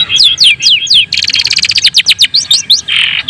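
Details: Long-tailed shrike of the white-breasted 'daput' type, singing to provoke other shrikes into singing and agitation. Loud, high, sweeping downslurred whistles come first, then a dense, rapid chattering burst of notes, ending with a buzzy rasp.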